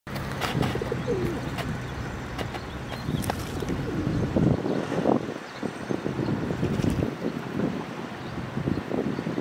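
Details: Feral pigeons in Prule, Ljubljana, on 4 May 2023 give low, throaty rolling coos in repeated bursts against a steady engine hum and scattered clicks and knocks.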